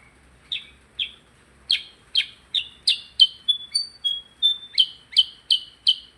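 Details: Percang singing vigorously: a quickening series of bright, high chirps, some stretched into short whistled tones, repeated roughly three times a second, on a quiet background.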